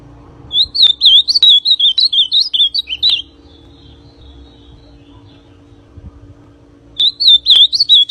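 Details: Ultramarine grosbeak described as a 'pintão' singing a quick run of sweet, slurred whistled notes for about three seconds, falling silent for nearly four seconds, then starting another phrase, with a low background hum throughout.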